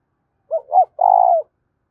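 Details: Calling spotted dove, fast urging coo: a short clipped note and a higher rounded note, then a long, even, slightly trembling coo that drops at its end. Quiet background.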